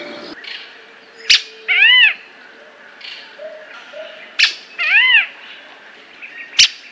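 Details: Squirrel cuckoo: two ringing, arched whistled notes several seconds apart, mixed with sharp clicks or knocks and a soft low hum.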